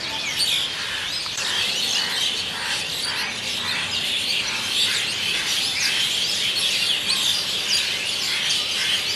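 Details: Asian Pied Starlings gathering in a big noisy flock at an evening roost in Kolkata, India, recorded on a Nikon D3200; dense, unbroken chatter of overlapping high chirps, squeaks and whistles, steady in loudness throughout.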